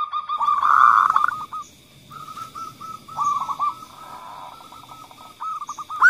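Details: Local female zebra dove calling, followed by the call of a male kerot-type dove, used to stimulate other doves to call: a loud rolling burst, then many short, mid-pitched cooing notes in overlapping fast series, with a steady high hum behind.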